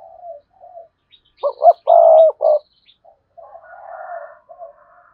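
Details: Spotted dove singing to draw rival males in to fight: two short coos, a long loud vibrating coo and a short final note, then a low rough murmuring coo series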